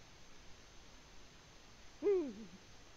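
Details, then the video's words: In the nest in Latvia, February 2020, a Eurasian eagle-owl utters one hoot late in the clip, climbing briefly, levelling and then sinking into a wavering tail, with quiet hiss before it. "Eagle Owl, Latvia 2020-02-14 Bubo in the nest"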